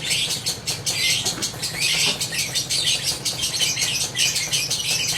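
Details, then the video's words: Lovebird ngekek, a long unbroken chatter of fast, harsh, clicking and squeaky notes packed tightly together at high pitch, barely pausing over five seconds, over a faint low background hum. "Love birds gacor ngekek panjang konslet - Love Birds Sounds Ngekek"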